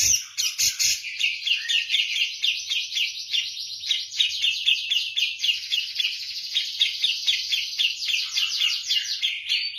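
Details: Javan grey-cheeked bulbul in persistent song compared to kapas tembak: a few sharp clicks, then an unbroken fast trill of buzzy, chattering notes lasting several seconds.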